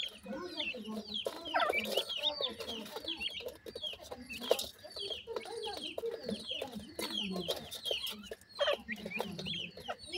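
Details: Grey francolin family with chicks feeding: busy overlapping high, bent chirps and softer low clucking notes, fast and irregular, with scattered clicks and rustling throughout.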